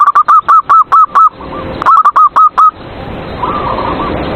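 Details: Zebra dove (perkutut) song used as a lure for rival doves: a fast run of seven rounded repeated coos, a short pause, five more, then quieter distant cooing of another dove.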